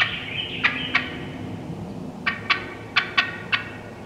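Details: Wild turkey hens cutting and yelping in woodland: a short high yelp run, then a string of five sharp clucks spaced about half a second apart over faint low hum.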